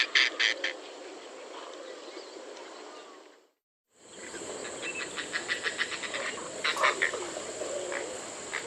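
Oriental darter giving dry, clicking rattles in quick bursts over a steady background hiss.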